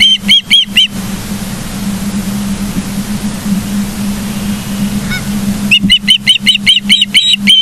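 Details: Nest-cam osprey in Charlo, Montana, 09/07/2023, 09:42: a short burst of shrill chirps, a long quiet stretch over a low hum, then another quick series of piercing whistled notes.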